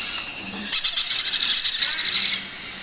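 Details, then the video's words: Baby macaw being fed: after a quiet start, a burst of rapid, high, wavering squeaks pulses for about a second and a half, then fades. "Macaw Baby Parrot Feeding Time"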